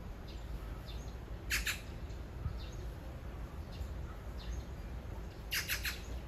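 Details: Magpie calling to a partner perched a few meters off, a persistent love song; two bursts of harsh, grating chatter, the second a rapid run of three or four rasping notes, with a low background hum.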